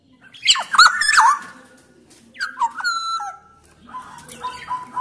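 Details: Black-naped oriole, Sumbawa form, singing loudly and persistently to prompt lazy orioles to sing. Harsh, squealing notes at first, then a smooth, level whistle with a downward slide, followed by softer whistles.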